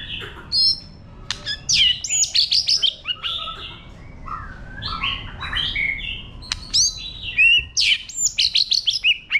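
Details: White-rumped shama singing a wild 'forest voice' song used to stimulate other birds: rich, varied whistled phrases, high sweeping notes and short rising and falling trills in rapid, loud bursts, with faint low background rumble.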